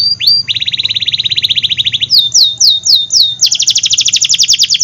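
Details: Canary, described as a lively singing bird used as a lure to prompt reluctant canaries and young canaries to sing: rapid trills of repeated high notes, a fast flat rattle, then a series of downslurred whistles and a bright buzzy trill.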